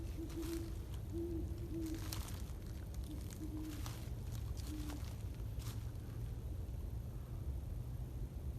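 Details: Probably a great horned owl, giving deep, soft hoots in a short, uneven series, on the Staten Island Greenbelt at sunset on the winter solstice evening, cold at about 17–20s °F; steady low wind rumble and a faint voice.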